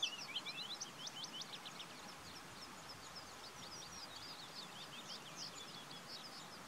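Willow warbler song: soft, sweet whistled notes tumbling down the scale in a gentle cadence, repeated phrase after phrase, fairly faint over a steady low background hiss.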